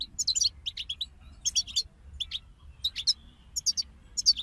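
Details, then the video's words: European goldfinches singing as a group, delivering clipped bright chirps in small clusters, some buzzy, spaced by brief silences, with a soft low rumble in the background. "King of Songbirds Goldfinch Group Motivations for Songbirds"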